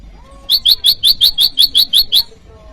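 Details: Bar-winged prinia calling out to an opponent, used for luring wild birds and for training caged ones: a fast, even run of ten bright, high chirps, about five per second, then silence.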